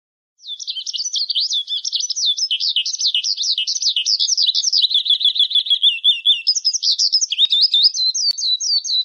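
A Eurasian skylark pours out a fast, unbroken warble of high, rolling trills and chirps. There are no pauses and no other sounds.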